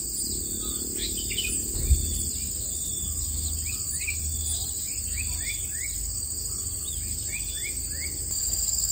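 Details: Four long-tailed shrike nestlings in the nest give rapid, thin, downslurred chirps in repeated bursts, over a steady high drone of insects and low wind rumble.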